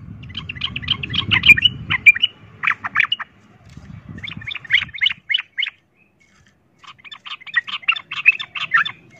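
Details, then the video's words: Sooty-headed bulbul fighting song in the rapid 'ropel tarung' style, used as a lure to rouse other bulbuls to fight; three bursts of hurried chattering notes with gaps, low rumbling noise under the first burst. "pancingan trucukan ROPEL TARUNG ini bikin trucuk lain seketika ikut EMOSI tarung"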